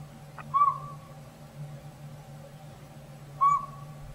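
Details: A Northern Pygmy-Owl that seems to have moved into an old sapsucker nest in a hollow tree in backyard woods, upsetting the squirrels, gives two single clear, whistled toots about three seconds apart over a low steady hum.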